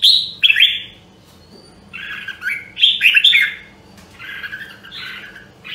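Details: Red-whiskered bulbul from Nam Đông, Huế, trained for singing, delivering spaced bursts of loud, liquid whistled phrases with buzzy edges, about one phrase every few seconds, separated by near-silent gaps.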